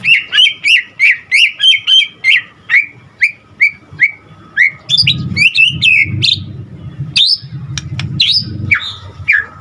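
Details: White-rumped shama singing hard, its song packed with varied phrases. It opens with a fast, even string of about a dozen chirping notes, then turns to louder, jumbled whistles and sweeps over a low rumble.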